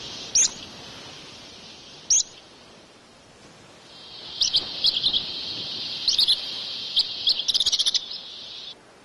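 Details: Dunnock feeding its young in June on the Île de Batz, Finistère, France: thin, very high sharp chips, then bursts of rapid high twittering calls in clusters, over faint steady background hiss.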